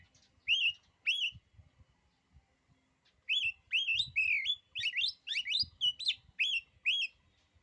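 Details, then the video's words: ['Intimidating song of an oriental magpie-robin, said to unsettle other magpie-robins: loud, clear whistled phrases, each a sharp rising note curling over, first two spaced, then a rapid varied series of about ten, over faint low tapping.'] "kicauan kacer ini, bikin nyali kacer lain jadi ciut."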